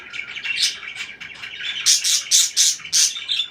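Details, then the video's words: Soft warbling parakeet chatter that builds into a run of five loud, shrill, evenly spaced chirps in the second half. "BEAUTIFUL CHIRPING NOISES"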